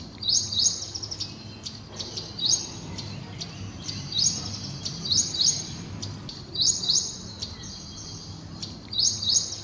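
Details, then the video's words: Ashy prinia song used as training audio for songbirds: short bursts of rapid, high, chattering notes about every two seconds over a low rumbling background. "Masteran Mirip Ciblek Semi"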